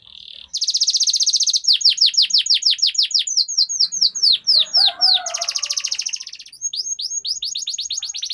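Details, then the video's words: Canary producing long rolls, used to prompt other canaries to sing: a short buzzy note, then a sustained very fast roll, a run of steeply falling swept notes, and another extended roll. "Suara Pancingan Burung Kenari Agar Cepat Gacor dan Ngerol, Masteran Suara Kenari Ngeroll Panjang"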